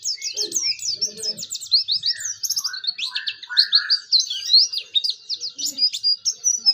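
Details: Oriental white-eye song for stirring other white-eyes to sing: fast, high, chattering twitters and sharp slurred notes in a continuous flow, with some lower, softer chirps and faint low noises mixed in early on.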